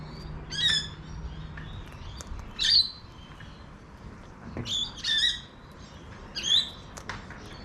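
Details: Wild cockatoo calling in a backyard in Adelaide, South Australia: a series of five harsh, grating squawks, each under half a second, spaced irregularly over several seconds, with a low hum beneath.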